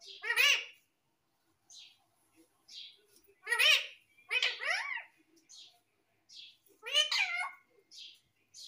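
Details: Pet parrot talking: harsh, harmonic squawk-like syllables at about 0.5, 3.7, 4.5 and 7 seconds, with softer chirps scattered between them in a quiet indoor setting.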